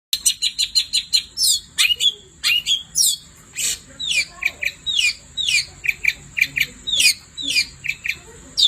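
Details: Long-tailed shrike singing at night: rapid burst of sharp chips, then varied downslurred whistles and harsh notes, roughly two per second, over a steady thin high whine.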